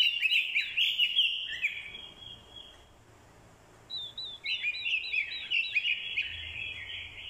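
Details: Orange-headed thrush used as a decoy, giving fighting song meant to provoke males, with a female's call included; a loud twittering warble fades into a quiet gap, then high looped notes open another rich whistled phrase.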